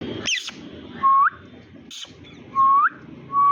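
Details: Green Indian ringneck parakeet, a pet bird, making human-like sounds: clear upward-sweeping whistles, each rising sharply at the end, separated by brief rustling noises.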